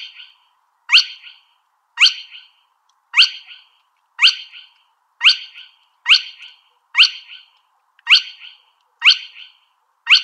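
Spotted crake giving its sharp, whiplash 'hwitt' note, repeated steadily about once a second against an otherwise quiet background.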